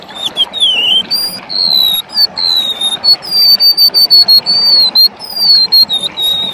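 Golden-bellied Gerygone singing a run of thin, high, wavering whistles that slide downward, phrase after phrase with barely a pause.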